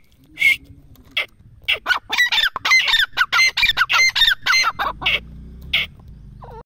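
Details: Grey francolin delivering a long, loud series of harsh, rattling, squawking phrases with piercing whistled accents, quickening to about two per second before slowing to a few spaced notes; low background rumble present.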